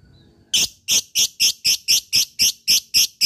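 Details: Lovebird kept as a fighter, calling an opponent in ngekek style: after a short quiet start, loud harsh shrieking notes repeat steadily about three times a second.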